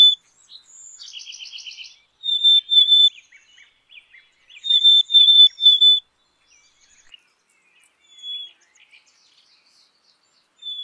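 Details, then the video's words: Black-capped chickadee calling: a series of hoarse, buzzy dee notes, then short clear high whistles in repeated clusters, separated by quiet gaps, with faint softer chips in between. "Black capped Chickadee Song ! Black capped Chickadee Sound ! Black capped Chickadee Call !"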